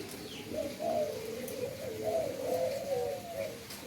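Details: Low, rounded coos from endemic doves in an Indonesian breeding setting, rising and falling in soft humps about every half second, with a few faint high chirps behind.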